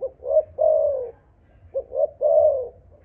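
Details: Spotted dove of a Malaysian line, 'âm thổ' voice style, cooing loudly: a short note followed by a longer drawn-out coo, the two-part phrase given twice in three seconds.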